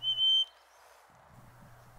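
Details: In June in northern woods, a male chickadee gives one clear, pure whistled hey-sweetie note, steady in pitch and about half a second long, as two males sing back and forth at a territory border; then near silence with faint hiss; finding: Chickadee.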